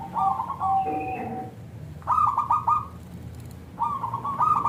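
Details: Lure song of a local zebra dove meant to prompt other zebra doves to respond: three rolling phrases of quick, slightly buzzy coo notes, with a longer drawn-out note and softer lower tones after the first phrase.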